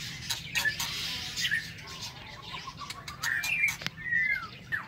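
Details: Morning song of a White-rumped shama kept in an aviary: soft whistled notes and short slurred phrases among scattered clicks and rustling, a falling whistle near the end.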